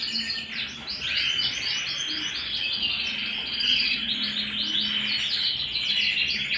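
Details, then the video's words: Canary singing at home: dense, continuous warbling of rapid high trills and buzzy rolls, with brighter whistled notes stacked above, running without a break for the whole stretch. "canary bird - canary singing - canary sounds - canary singing at home - beautiful canary birds"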